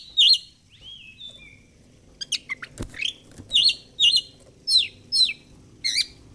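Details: Oriental magpie-robin singing ngobra fighter style: looping whistled twists, a few downslurred notes, then a steady series of emphatic chirps about every half second.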